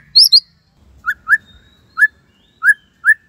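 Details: White-rumped shama, Cililin tembakan style used for masteran: two high sharp notes, then widely spaced clear upslurred whistles roughly every half second.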